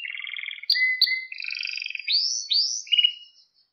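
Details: Canary song used for teaching young canaries: a short varied phrase of trilled tours, two sharp clicks, and rising swooping whistles before fading into silence.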